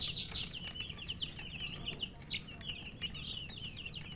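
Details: Thirsty colour chicks, baby chickens, giving a continuous run of high thin peeps, strongest at the start and steady throughout, with a few faint clicks.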